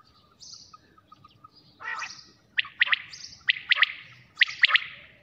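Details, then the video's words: Quail heard at night giving quick, sharp triple-pulsed notes in a loose series, mixed with fainter high chirps and a brief rasping note. "2023 batair Bulara"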